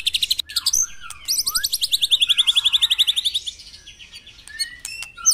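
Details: White-rumped shama at morning dew time, played to get caged birds singing: short sharp notes, then a long, regular, high trill of rapidly repeated notes gently descending, followed by a few isolated whistles.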